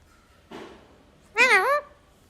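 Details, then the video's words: Talkative parrot indoors: a faint short note, then a loud, wavering, squeaky speech-like phrase that rises and falls for about half a second, with quiet room hum around it. "Parrot sound ❤️talkative parrot"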